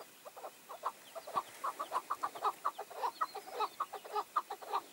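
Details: Tethered decoy chukar partridge calling during a hunt as five wild males approach: a steady, rapid string of short, hoarse chucking notes, roughly two per second, rolling on without pause.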